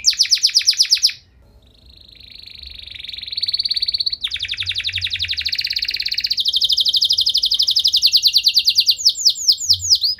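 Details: Canary singing long, richly varied phrases meant to make other canaries answer: rapid chattering notes, a brief pause, then sustained buzzing rattles and high rolling trills that build in loudness, ending in quick upward-swept whistles.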